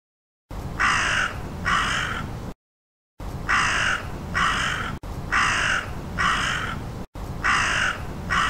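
A crow gives harsh, grating caws in pairs, each about half a second long. The pairs repeat four times with brief silent gaps between them.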